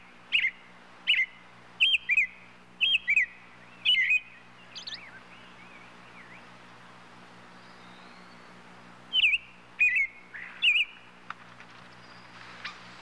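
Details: A burst of six rapid twisting whistles from a European robin, a long quiet gap with faint soft notes, then three more phrases near the end, over a low background hum.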